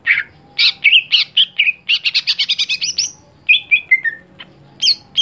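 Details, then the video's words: Greater green leafbird kept for songbird contests, one that no longer performs well, sings a fast varied phrase of bright chirps, slurred whistles and a rapid rattling trill of repeated notes, ending with falling whistles and sharp high calls. "Ketika Cucak Hijau Sudah Tidak Jalan Gantangan"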